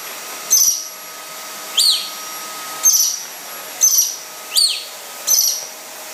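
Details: Rare yellow-breasted lorikeet squaring off against a vacuum cleaner, giving six shrill downward-sweeping screeches at irregular intervals of roughly one second, with the constant drone of the appliance behind.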